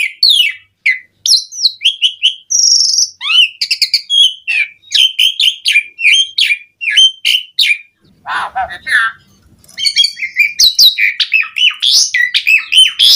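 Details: Javan pied starling in loud, energetic song used as a lure to get other starlings singing: a rapid run of sharp whistled and chattering high notes, broken midway by a harsh, lower rasping burst, then resuming.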